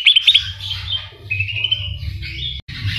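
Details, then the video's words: Greater green leafbird song filled with mimicked kapas tembak and cililin phrases; quick high chirps open into drawn-out, wavering whistles, with a constant low rumble behind. "Cucak Ijo Gacor Full Isian Tembakan Kapas Tembak dan Cililin"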